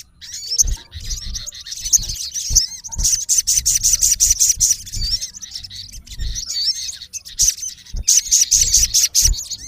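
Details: Olive-backed sunbird, a male calling a rival, pours out long fast runs of high sharp chirps, pausing briefly between runs, over faint low background noise.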